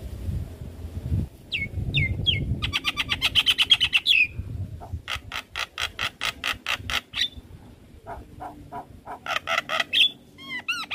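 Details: Javan myna song for training young mynas to sing: whistles, a fast rattling buzz, a steady series of harsh notes, and closing high chirps, over low background rumble.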